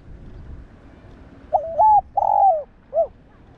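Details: Spotted dove coo, used to stimulate other doves into cooing: after a second and a half of low background hum, one phrase of a quick double coo, a long throaty coo and a short final note.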